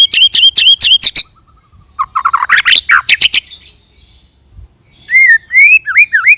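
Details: Lure song of a white-rumped shama meant to set other shamas singing: fast repeated high notes, a harsh chattering burst, quiet pause, then a few loud mellow looping whistles.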